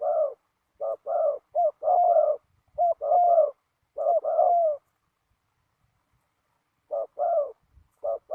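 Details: Spotted dove calling during ground decoy trapping on a windy day, giving bursts of paired mellow coos for about five seconds, a quiet pause, then a few more coos.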